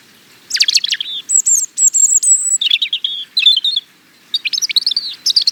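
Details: A European robin delivers rapid, varied phrases: sharp descending notes, thin sustained high whistles and fast liquid trills, pausing briefly before another lively burst, with a soft hiss of background.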